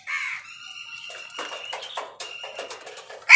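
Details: A crow squabbling with wild birds over food gives a harsh caw at the start and another at the end, with a steady high tone and rapid clicking and pecking sounds between.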